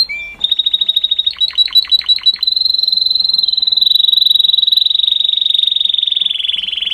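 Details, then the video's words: Canary in song, opening with a short clear note, then quick downward-sweeping notes leading into a long, loud, very fast rolling trill held for several seconds at a steady high pitch. "Canary Bird Singing"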